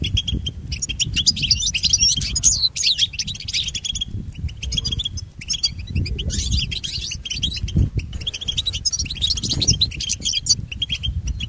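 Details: Song of a European goldfinch, played for training pet goldfinches. Long run of fast, jingling twitters and buzzy notes in several phrases over a low rumbling background.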